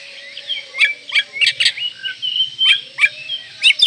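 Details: Oriental magpie-robin in full, elaborate song, stirring breeding condition and goading rivals: repeated loud downslurred chips alternating with bright whistled slurs, fairly rhythmic, over a faint low background murmur.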